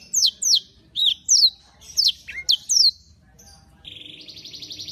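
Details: Canary in lively song, delivering a series of loud, high downward-sliding whistled notes in quick succession, followed by a softer, steady buzzy trill at the end.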